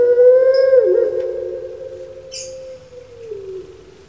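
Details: Pelung turtle dove kept in Java, Indonesia, its drawn-out, hollow coo wavering then sliding down and slowly trailing off into quiet.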